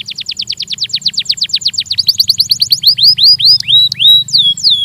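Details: Belgian canary song recorded for training: a fast trill of rising notes slows into separate loud swooping whistles that bend downward.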